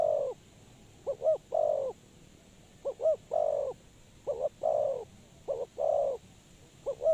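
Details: Spotted dove serving as a trapping decoy, calling repeated phrases of two short hollow notes then a longer coo, about five phrases, steady faint hiss throughout.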